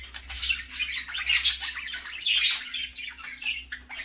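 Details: Several parakeets in the morning keep up warbling, scratchy chatter with harsh squawks rising and falling roughly once a second.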